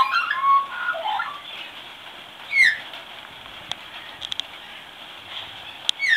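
A young magpie gives soft, rambling warbles, then a single downslurred whistle and scattered quiet clicks, ending with another brief slurred note.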